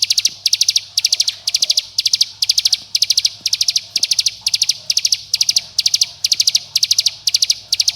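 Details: Bar-winged prinia calling to companions and provoking rivals, played to get young birds singing: continuous, evenly spaced groups of four or five bright, high staccato notes, close to two groups per second.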